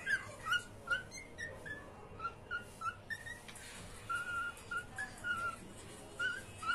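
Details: Pet cockatiels at play: a quiet series of short, clear whistled notes, repeated roughly every half second at a fairly steady pitch, a few slightly higher, over a low background hum.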